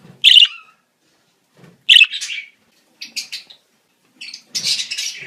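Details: Breeding-season budgerigars give a shrill chirp, a second chirp trailing into chatter, two quick stuttered notes, then a longer scratchy warble.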